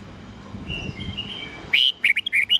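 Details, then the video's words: Red-whiskered bulbul morning song in the wild old-forest voice style, 8 to 10 notes, played to train young birds: after steady low hum, a quick burst of loud whistled and chirping notes, clipped and rising-falling. "Luyện chào mào hót sáng GIỌNG GIÀ RỪNG âm 8-9-10 cực chuẩn"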